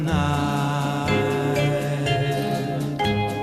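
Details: Sustained chant-like music with layered tones, and no animal voice.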